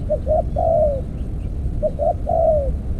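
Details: Spotted dove at an earthen decoy trap. Two clear phrases are heard, each with two short hooting notes and a longer sliding coo that drops in pitch.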